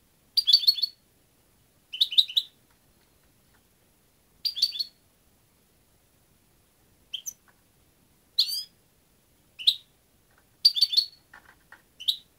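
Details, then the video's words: European goldfinch giving short, bright twittering bursts of tinkling, slightly buzzy notes, about eight phrases spaced one to two seconds apart, against a quiet, clean background. "jilguero 4"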